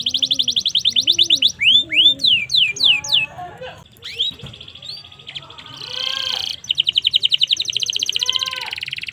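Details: Canary singing as a master tutor recording, opening with a fast buzzy trill, then loud downward-sweeping whistles, scattered chips, a brief rough burst and closing rapid trills; soft lower whistles and background hum accompany it.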